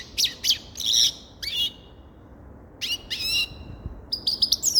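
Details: Grey-crowned goldfinch singing in short bursts of high, tinkling chirps and slurred notes, with a pause before a final thin trill.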